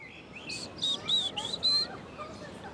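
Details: A Short-toed Treecreeper calling in a Paris park gives a brisk run of five high, thin, evenly spaced notes, slightly rising, over faint background hum.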